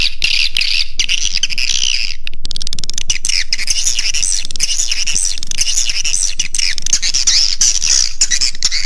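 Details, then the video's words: Raja Di Laut style roosting call of swiftlets, meant to lure birds in: a steady, dense wash of high, rapid twittering chirps running throughout. "Suara Inap Walet Raja Di Laut"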